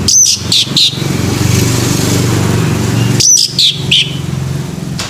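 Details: Male orange-headed thrush singing in the morning: two short bursts of sharp, high whistled and chattering notes about three seconds apart, over a steady rumble of passing vehicles and motorcycle traffic.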